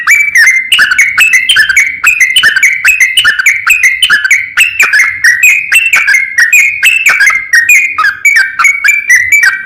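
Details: A sooty-headed bulbul sings the long 'ropel panjang' style to call a rival: nearly ten seconds of unbroken, fast, bubbly chattering with notes stepping up and down.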